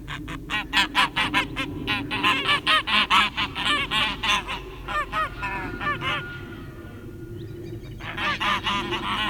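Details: Domestic guard geese give loud, harsh honks in rapid overlapping bursts, about two per second, with a brief lull midway, while fighting two wild Canada geese on a farm pasture; faint laughter and talking underneath.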